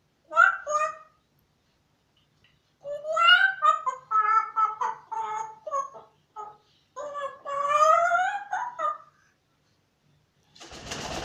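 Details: A grey parrot sings in bursts of warbling, whistled and speech-like phrases that rise and fall in pitch, with brief pauses between them, ending in a short rustle.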